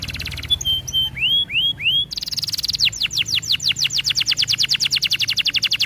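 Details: Canary song used as training for other canaries: whistled upswept notes, then a long steady fast trill of rapidly repeated chirps.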